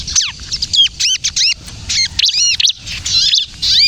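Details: Bar-winged prinia in full kejepit song, a recording for luring and prompting other prinias: short clusters of sharp, high downswept and arched chirps separated by short pauses, ringing clearly above faint low noise.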